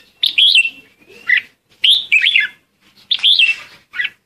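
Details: Red-whiskered bulbul used as a decoy to call the flock, singing three clear, rolling whistled phrases with upward and downward slurs, each followed by a short chirp, loud and clean.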